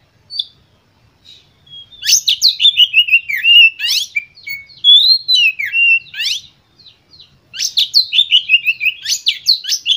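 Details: White-rumped shama song to stimulate other birds: a single high note, then long loud runs of fast sweeping, buzzy and whistled notes with brief pauses, very energetic throughout.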